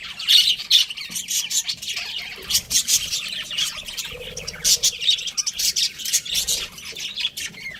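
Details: Chirping from a breeding pair of pet budgies, a steady run of quick, sharp high chirps and warbled chatter with short pauses between bursts.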